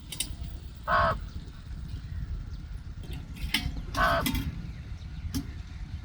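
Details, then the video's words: A house crow (Corvus splendens) gives two harsh, nasal caws about three seconds apart over a steady low rumble of traffic or wind. "Indian Crow Corvus Splends Sounds Effect"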